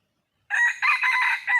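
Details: Female red junglefowl calling for a male; a harsh, rasping multi-part cry of about one second after silence, in several strained pulses.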